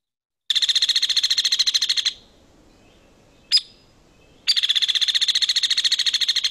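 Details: Hairy Woodpecker call from Missouri, played for comparison with the downy's descending call. It holds a constant pitch: two rapid, even runs of sharp, high notes, about 1.5 and 2 seconds long, separated by a single isolated note.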